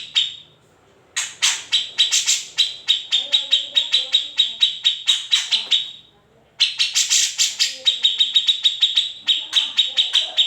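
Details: Grey-cheeked bulbul song meant for training shamas, leafbirds and shrikes: bursts of quick, shrill repeated notes separated by two short silences, each burst a rapid stream of high clipped chips.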